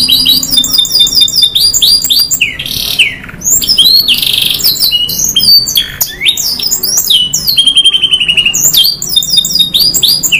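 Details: Canary in long 'nembak panjang' 'gacor' song with 'isian' fill: continuous cascades of rapid chips, swooping whistles, a dense buzzy burst and a clear rolling trill, all high-pitched and nonstop.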